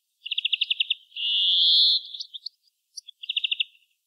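European greenfinch singing: a quick, even trill of about eight notes, a long nasal wheeze, a few scattered chips, then another rapid trill.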